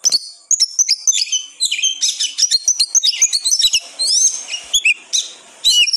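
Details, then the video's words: Excited oriental magpie-robin song played to stir up a lazy bird: rapid mix of harsh buzzy notes and high thin whistles, with quick chirps tumbling in close succession. "KACER Gacor NGOTOT Dijamin, Kacer Malas Bunyi Langsung Emosi"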